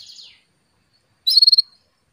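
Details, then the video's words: Female Atlantic canary calling the male to stimulate him to sing: a short, high, descending chirp, a pause, then a quick burst of about six clipped, bright notes, with silence around them. "PANCINGAN KENARI BETINA MEMANGGIL JANTAN"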